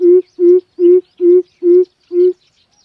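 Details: Deep, booming hoots of a coucal played as a lure to trap birds, six evenly spaced notes roughly every 0.4 seconds, each flat and resonant, then silence; no other sounds.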